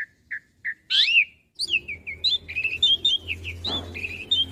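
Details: Asian pied starling master song for young birds: three spaced short whistles, a loud slurred phrase, then a flowing warble of wavering whistles and chirps.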